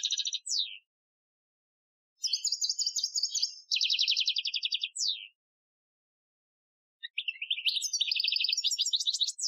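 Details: European goldfinch performing an Algerian-style training song, 2015: bursts of rapid high trills and buzzy twitters separated by silent gaps of one to two seconds, each phrase ending with a falling slur.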